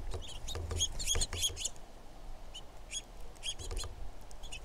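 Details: Female red-shafted Northern Flicker giving quick bursts of sharp, high chirping notes in clustered series, then scattered single notes after a short pause, over steady low rumbling background noise.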